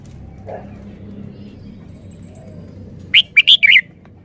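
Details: Red-whiskered bulbul giving one three-syllable song phrase: sharp, bright whistled notes in quick succession after a quiet stretch.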